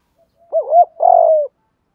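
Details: Decoy spotted dove calling to provoke wild doves: one phrase of two quick arched coos running into a longer, sustained, slightly falling coo.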